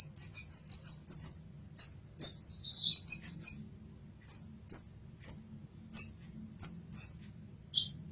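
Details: Olive-backed sunbird, 'masteran' style recording. The bird opens with a rapid trill of high notes, then gives another fast twittering run. Evenly spaced single high chirps follow, about two per second.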